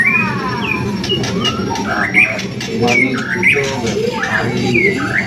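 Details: White-rumped shama gacoran song meant to spur other birds into singing: short clear whistles and upward-sweeping notes repeated in quick succession, mixed with faint chattering, over constant low background hum.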